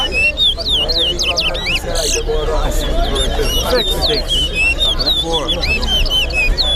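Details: Towa towa birds matched in an all-star singing competition at Lusignan, Guyana; rapid, high whistled notes sliding up and down in quick, overlapping bursts, with loud crowd chatter and hubbub throughout.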